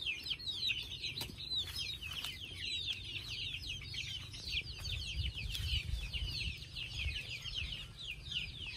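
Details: Many chicks readying themselves to sleep give rapid, high, overlapping peeps without pause, with occasional soft knocks and low rumbling in the background.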